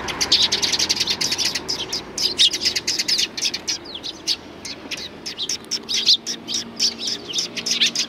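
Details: Several sparrows come to be fed along a Tenmangu shrine path in April 2020, producing a constant stream of bright, clipped chirps, closely spaced and overlapping throughout.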